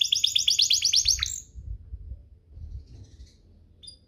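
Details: Canary singing to provoke other canaries: a rapid, rhythmic burst of bright repeated chirps with harmonics lasting just over a second, then mostly quiet with faint distant notes and low hum.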